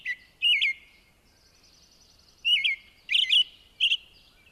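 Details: An American Robin sings its typical song, short clear caroling phrases of rising and falling whistles in little triplets, with brief pauses between them, against a quiet background.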